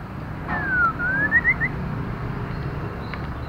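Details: Female white-rumped shama calling to stimulate male birds: a single whistled phrase that slides down, then climbs in short rising notes, set against steady low traffic rumble.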